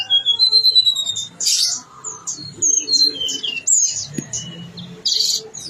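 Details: Blue-winged leafbird, local name tledekan gunung, singing gacor with isian: clear level whistles and downslurred notes mixed with harsh, buzzy bursts, phrases repeated irregularly about every second.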